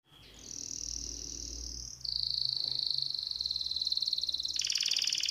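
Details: An excited timbrado canary sings in sustained rolling tours: a high steady trill, a slightly lower rattling roll, then a brighter, buzzier burst, all continuous and metallic.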